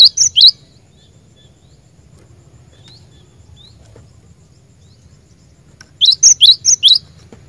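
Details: Glatik batu (cinereous tit) lure bird: a few loud, high, sharp notes at the start, a long quiet stretch with low hum, then a brief burst of three or four bright chips near the end.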